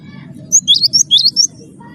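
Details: Actively singing cinereous tit, wingko type, used to prompt other birds to sing: a rapid burst of about six sharp, high, chipping two-part notes lasting under a second, with a soft low murmur behind.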